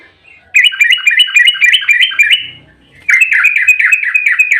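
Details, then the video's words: Yellow-vented bulbul giving an agitated fighting song in the rapid 'ropel' style, used as a lure to provoke other bulbuls to answer: two fast runs of bubbly, slurred, down-swooping notes, about four per second, separated by a short pause. "trucukan GACOR EMOSI ROPEL RAPAT buat pancingan trucuk agar cepat bunyi"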